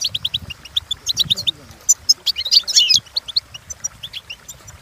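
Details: European goldfinch singing for training: quick runs of bright chirps and trills with a louder, scratchy jumbled flourish in the middle; a soft low murmur, possibly a voice, sits beneath early on.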